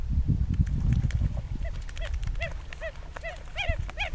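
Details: Red-gartered coots (Fulica armillata) in a pitched battle on Laguna Nímez, El Calafate, Patagonia, Argentina: low splashing and rumbling commotion first, then short arched nasal calls repeated about every half second.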